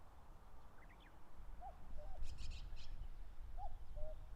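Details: A common cuckoo calls across the grassland at the foot of Mount Fuji in late May while defending its territory: two falling cu-coo pairs, with brief high chirps and clicks between them.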